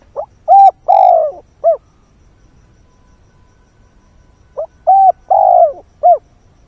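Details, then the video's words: Spotted dove used as a decoy, calling at daybreak to entice wild birds: two loud phrases about four seconds apart, each a quick note, a clipped coo, a long falling coo and a short closing coo. "Chim cu mồi // Tinh sương gáy gọi, kích thúc chim hoang dã"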